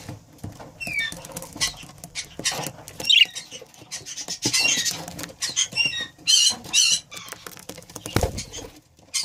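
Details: Breeding pair of budgerigars giving bursts of short, high chirps and warbled chattering notes, some rising or falling, in clusters through the recording, mixed with scratchy rustling and tapping sounds.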